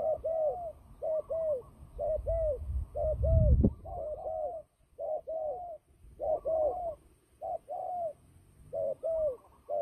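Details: Fighting turtle dove, a trapping bird, giving paired mellow coos roughly every second. A low thump breaks in midway, and short silent gaps separate some of the phrases.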